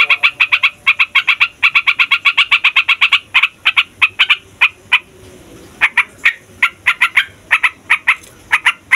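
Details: Yellow-vented bulbul rolling song, used to draw wild and young bulbuls into song: dense fast note bursts at first, then slower, spaced clipped notes after a short quiet break.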